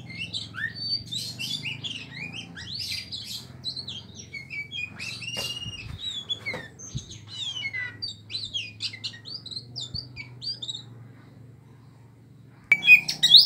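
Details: A caged Aceh Oriental magpie-robin sings a rich, varied run of whistles, slurred notes and scratchy chatter, mostly high-pitched and quick, over a low hum.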